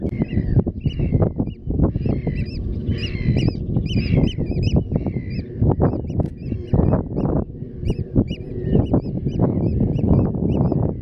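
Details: Eurasian oystercatchers at Terschelling, the Netherlands, on grassland and mudflats: bursts of shrill, arched piping notes, several overlapping, over a heavy low rumbling background.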